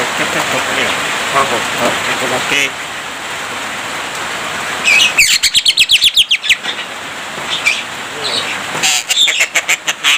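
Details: Javan myna singing a rich, talkative song stocked with mimicked human speech and coughing. Dense harsh chatter gives way to a rapid series of loud clipped buzzy bursts, with scattered sharp whistled notes throughout.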